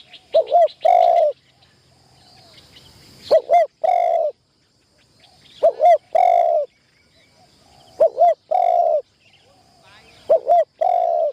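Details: Decoy spotted dove in its first trapping-enclosure training. There are five cooing phrases, each a pair of short upslurred notes followed by a drawn-out, slightly rough coo, spaced about two to three seconds apart. Faint high bird chirps are heard behind.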